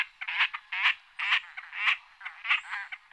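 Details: Great crested grebe giving harsh, nasal, rasping notes in a steady series of about six bursts spaced roughly half a second apart, each gruff and broad-toned, with no other clear sounds.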